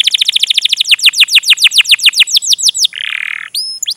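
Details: Energetic canary song for training juvenile canaries: a fast series of repeated falling chirps that slows toward the end, followed by a harsh buzzy note and brief high whistles.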